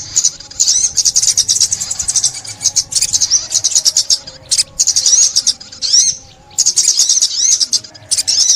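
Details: Sunbird (ốc mít) song from 2021, used for bird trapping: rapid, very high, buzzy twittering trills in bursts of about one second, broken by short pauses, with a few sharp rising and falling sweeps.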